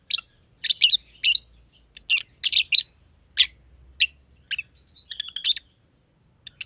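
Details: Pair of personata lovebirds, green and green pied, friends sharing a simple aviary, chirping at length. Piercing, scratchy chirps arrive in bursts with brief gaps, and a faint low hum sits underneath.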